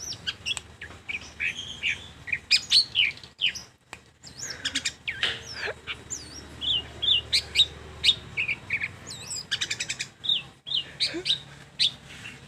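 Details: Shrike singing a long, varied sequence of high chirps, trills and rising whistled slurs, delivered in quick bursts with brief gaps.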